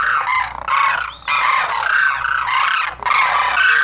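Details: Sarus crane giving strident, buzzy trumpeting calls in two long bursts broken by a short pause.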